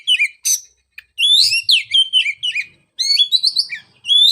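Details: Oriental magpie-robin song, used to stimulate a bird that stopped singing after moulting: rich, varied whistled phrases with rising and falling sweeps and sharp chirps in quick bursts, separated by short silent gaps.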